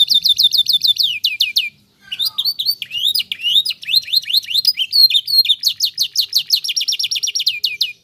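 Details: Canary in a cage singing to prompt other canaries to answer, with fast trills of falling whistled notes, a short pause, then varied chattering phrases and another rapid rolling trill.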